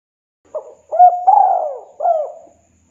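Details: Spotted dove, known locally as tekukur or derkuku, in the kuk 2 style, calling a rival and used as a lure; a single phrase of soft, rounded coos, a short note, a long drawn swelling coo, then a falling final coo.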